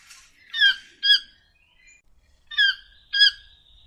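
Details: Toucan calls: two pairs of strident, nasal yelping notes about two seconds apart, each note short and rich in overtones, with a soft squeak between them and a quiet background.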